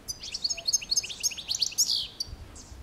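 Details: Goldfinch song: a quick run of bright, liquid chirps and trills, high and tumbling, ending in a short buzzy note, about two seconds long over soft background noise.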